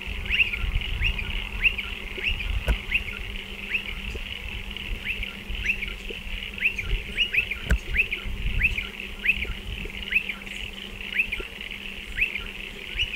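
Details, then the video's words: Striated pardalotes at nesting burrows in a dry stone wall, giving continuous rapid rising chirps, singles and doubles, with two sharp clicks and a background hiss and hum. "Striated Pardalote calls and behaviour"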